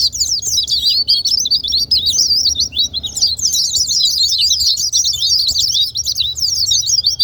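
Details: White-eye song played to provoke reluctant white-eyes to sing, a busy, high-pitched chatter of rapid chirps and zigzagging whistles running almost without pause.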